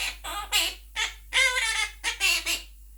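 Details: Pet Monk parakeet (Quaker parrot) talking and singing with its owner indoors; a series of loud, grating squawks and chattering syllables, uneven in length, roughly six bursts with short gaps between them.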